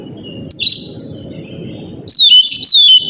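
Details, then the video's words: Kacer, the Oriental magpie-robin, in a morning lure song meant to make others sing back: a faint note and scratchy burst over low rumble, then loud descending whistled slurs with buzzy overtones. "pancingan suara kacer pagi hari"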